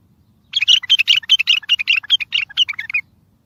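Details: Bulbul singing strongly, a recording meant to make mute bulbuls sing and draw distant bulbuls to answer for trapping; a fast burst of sharp, warbled chirps, roughly two and a half per second, lasting two and a half seconds.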